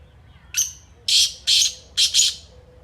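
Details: Kala teetar, the black francolin, calling once: a short sharp high note followed by three loud scratchy, buzzy notes in quick succession, the final one doubled, with little else audible.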